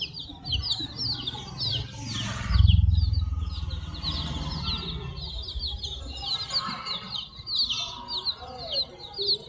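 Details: Many multi-coloured chicken chicks chirping together, a dense flock chorus of high, quick, downward-sliding peeps running without pause, with a short low thump and murmur of background noise partway through.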